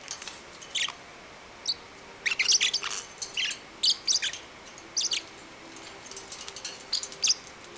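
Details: Nine-week-old pet parrotlet indoors, excited as it chases another bird and wants to play with its brother; scattered high chirps and squeaks in irregular clusters, some sliding downward, with a low room hum.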